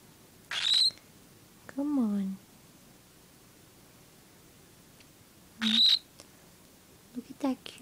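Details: A female Pastelface cockatiel chick, 5–6 weeks old, gives harsh, rasping begging screeches typical of baby cockatiels, with a woman speaking softly in between.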